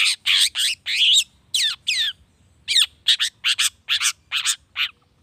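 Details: Long-tailed shrike song used to provoke other shrikes into singing: loud harsh squawky notes with rising and falling sweeps, delivered in rapid bursts of about a dozen phrases with short gaps.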